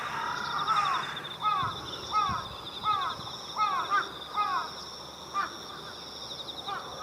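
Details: Jungle Crows and Carrion Crows assembling at dusk on countryside power lines in Japan before leaving for their communal roost, October 2018: a string of clear spaced caws about every half second, fading out, over steady insect chirring.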